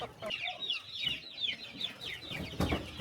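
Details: Many chickens at morning feeding on a small countryside farm give a busy chorus of high chirps and clucks, with a dull thump near the end.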